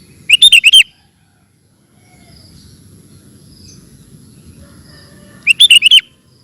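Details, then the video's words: Kutilang, the sooty-headed bulbul, delivering a ropel song: a fast run of five bright, bubbly whistled notes, a long quiet gap with low murmur, then a matching five-note burst. "Burung Kutilang Ropel Super Gacor"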